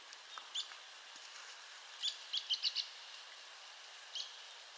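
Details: Arizona woodpecker calling: faint sharp high notes, a single note, then a quick burst of four clipped notes, and another lone note later, over steady background hiss.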